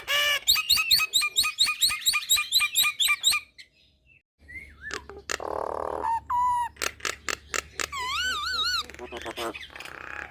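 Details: Nias hill myna singing energetically: a rapid series of about a dozen loud, harsh harmonic notes, a short pause, then varied buzzy bursts, a low droning tone and wavering, warbling whistles.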